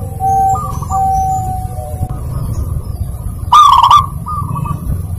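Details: Zebra dove song meant to spur a quiet bird into singing: gentle low coo phrases build to one loud buzzy rolling coo, then a softer phrase, with distant high whistles from other birds over a low hum.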